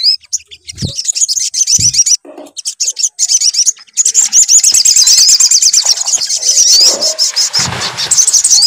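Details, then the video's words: Lure of sunbird song to make a bird sing, with choppy bursts of high twittering at first, then a long, rapid, buzzy trill, and a few low thumps of handling noise. "PANCINGAN SUARA SOGON AGAR BUNYI"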